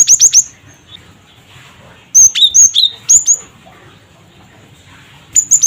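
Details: Gelatik batu (cinereous tit) uttering 'cret cret wucit' calls to draw responses from other birds: a fast triple whistle, then a string of alternating high and lower whistled notes, ending with a brief pair.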